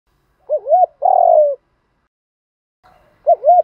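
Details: Spotted dove giving contest cooing in the driving Thổ pha đồng voice style: a wavering two-part coo, then a long level note sliding down at the end, with another wavering coo after a two-second pause.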